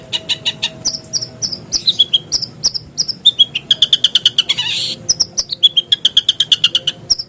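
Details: Long-tailed shrike lure song, played to prompt caged shrikes into full singing: rapid run of sharp high chirps, some notes sliding downward, plus a brief burst of harsh rasping noise near the middle.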